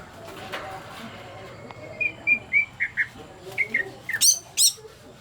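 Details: Greater green leafbird in breeding condition, singing a series of short, clear whistled notes roughly every third of a second, ending in a few sharp high chirps, over a quiet murmuring background.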